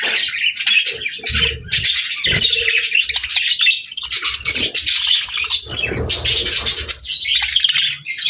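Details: Playful budgies with lovebirds, chirping and singing at home, pour out a dense, scratchy warbling chatter of many overlapping high notes, with occasional low thumps beneath.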